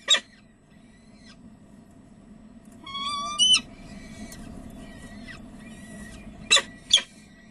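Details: Peregrine falcons recorded at De Mortel in the Netherlands, evening of 30 April 2009, 19:30: one sharp harsh call, then a thin drawn-out whine ending in a double rasp, and two more grating calls near the end, with a constant low hum beneath.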